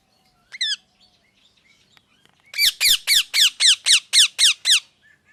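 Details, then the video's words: Parrot calling: one harsh screech, a short lull with faint ticks, then about ten loud, rasping, down-slurred notes repeated steadily, roughly four per second. "Parrot Chirping Sounds"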